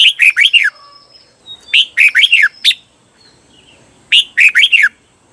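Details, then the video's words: Thai cage red-whiskered bulbul singing the 'berl' doubled phrases used for training: three bouncy bursts of four to six clear, down-slurred notes, about two seconds apart, in an otherwise quiet setting. "เสียงฝึกเบิ้ล นกกรงหัวจุก เปิดสอนเบิ้ลยาวๆ เบิ้ลได้แน่นอน"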